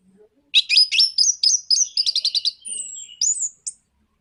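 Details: Rapid 'nraktak konslet' song of an Orange-headed thrush, meant to make other birds sing: a fast, even series of sharp high notes, about five per second, ending in thin whistles.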